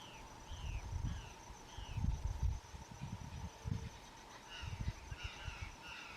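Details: White-eared puffbird (Nystalus chacuru), an Atlantic Forest bird from Lídice, gives thin, high, slurred whistles falling in pitch, several in quick series, over heavy low wind-like rumble and a steady insect hum.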